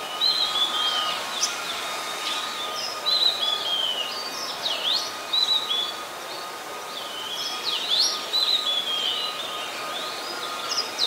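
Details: Oriental magpie-robin in Ubon Ratchathani, Thailand, December 2020, singing bursts of sharp sweeping whistles and downslurred notes separated by short pauses, over a steady faint hum.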